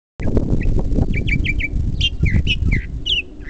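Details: Bird heard at the Living Desert in Palm Desert, likened to a car alarm for its many different noises: a quick run of short whistled notes, several sharply downslurred, shifting in pitch and shape, over heavy low rumbling wind or handling noise.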